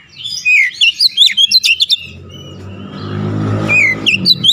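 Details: Oriental magpie-robin song, used to settle stressed birds: a burst of rapid varied chirps and whistles, then a passing car's rumble with a few more whistled notes over it.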